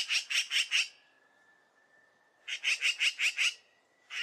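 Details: Magpie giving harsh, rattling chatter: two bursts of about five rasping notes each, delivered quickly, separated by a pause with a faint steady tone in the background.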